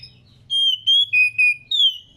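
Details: Female white-rumped shama, kept in captivity and in breeding condition, calling to stir males into singing: five clear whistled notes, the first two level, the next two lower, and a final note that slides downward, all within about 1.5 seconds.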